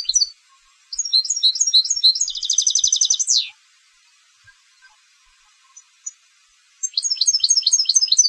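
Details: European goldfinch raised for singing contests: chirping notes accelerate into a tight buzzy trill with a falling end, then after a pause a new twittered phrase begins.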